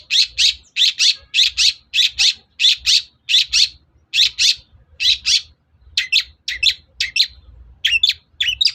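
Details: Long-tailed shrike provocation sound, played to make other shrikes agitated and answer with vigorous song: harsh, buzzy double notes in quick pairs, about one and a half per second, turning thinner and more ragged near the end.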